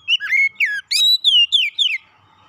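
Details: Oriental magpie-robin song, played as therapy to help a stressed kept bird recover and sing freely: a quick run of clear whistled notes, sliding and descending phrases, and a few bright upslurs, about two seconds of continuous phrasing.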